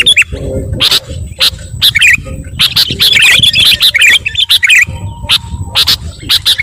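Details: Noisy sooty-headed bulbul chatter intended to make other birds worked up: quick runs of lively, squeaky chirps with bursts of crackling taps, fairly continuous over a low rumbling background.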